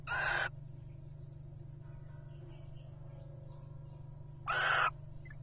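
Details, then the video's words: Two clear, mewing calls from wild Little Owl pairs courting at nest boxes, 2023. Each call lasts about half a second, swells and falls in pitch, and comes about four seconds after the other against a constant low background drone. "Whoo's Courting Who? A Charming Encounter Of Little Owl Pairs At Nest Boxes"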